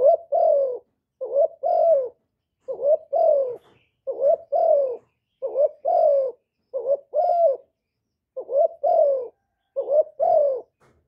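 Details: Spotted dove, locally cu gáy or cu đất, calling to stimulate decoy and male birds for trapping; recorded directly, with no background noise. The bird gives about nine paired coos, each a short low note followed by a longer falling coo, in steady succession.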